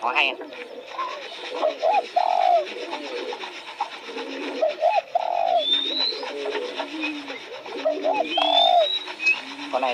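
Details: Spotted dove giving low, mellow coo phrases. Short hooted notes lead into a longer sustained coo, repeated about three times. Thin rising whistles and twittering from other birds run throughout.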